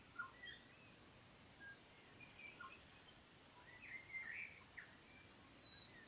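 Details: Grey warbler (riroriro), New Zealand endemic, recorded at Kapiti, singing faint, thin, high wavering notes that slide up and down in short phrases over a steady background hiss.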